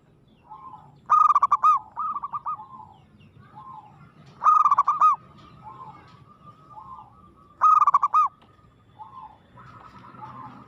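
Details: Local zebra dove singing aggressively: mellow rolling coo phrases, each a stutter of quick notes ending in a longer tone, repeated about every three seconds, with softer answering coos between them.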